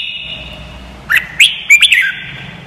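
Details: Red-whiskered bulbul song phrase played as training audio so young white-cheeked birds learn quickly: short rising slurs, then a tight cluster of bright chirping notes, with a steady ringing tone underneath.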